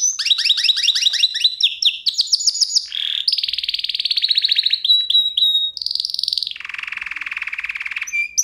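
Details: Canary song lesson for pet canaries: fast descending chips, rising notes, then a sequence of rapid trills at changing pitch, a high steady trill and a lower rolling trill.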